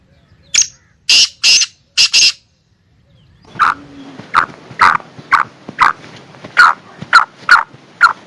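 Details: Female black francolin calling to excite the male: after a few loud harsh bursts, a quick series of short, sharp mid-pitched notes repeats about every half second.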